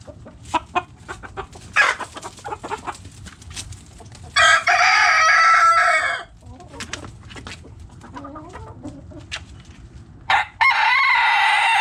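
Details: Backyard chickens, hens and roosters: scattered short clucks, then a loud, harsh rooster crow lasting nearly two seconds, quieter clucking and murmuring, and a second crow beginning near the end.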